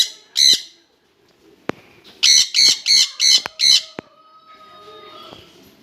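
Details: A pair of jenday conures together, calling in harsh, rasping squawks: one short burst, then a run of five loud screeches about every third of a second, followed by quieter clicks and faint background sounds.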